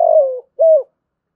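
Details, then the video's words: Captive decoy spotted dove giving its lure call to attract wild doves: two low, mellow coos, the first longer and slightly falling, the second shorter after a brief pause, in a clean recording with no other sounds. "chim cu gáy mồi gáy gọi liu dui bổi nghe nhạy gáy, tiếng cu gáy mồi chuẩn"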